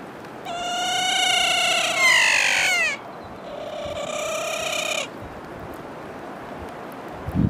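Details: A wild kea, New Zealand's alpine parrot, recorded in 2016, gives two long, loud, wailing calls, the first sliding downward over about two and a half seconds, the second flatter and softer.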